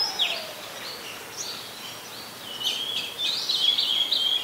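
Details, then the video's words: Oriental magpie-robin song from Ubon Ratchathani, Thailand, 26 December 2020: scattered high whistles early, then a louder run of fast, warbled, slurred notes in the second half over a background hiss. "นกกางเขนบ้าน Oriental Magpie Robin (singing)"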